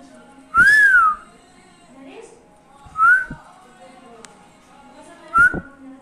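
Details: Parrot said to be talking, giving three short whistled notes that rise and fall, each about half a second long and spaced a couple of seconds apart, with faint clicks and low room noise between them.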